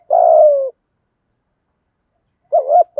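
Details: Spotted dove with 'thổ'-style 'thúc gù' cooing, intended to prompt newly caught captive doves to coo. A single long, smooth coo falling slightly in pitch, a pause, then the hooked opening double note of the next phrase.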